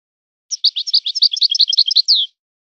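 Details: Goldfinch song in the Moroccan 'son of the forest' style: about two seconds of rapid, bright twittering notes ending in a longer downslurred whistle, in silence.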